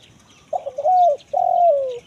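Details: Spotted dove, kuk 1 mersik call style, used as a forest lure for wild birds; two mellow low coos, the first stuttering into a sustained note, the second a long smooth note sliding slightly downward.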